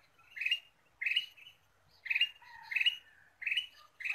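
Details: Ruby-throated bulbul lure call: rapid series of harsh, slightly rising chirps at uneven intervals, with a faint lower whistle heard between two of the notes.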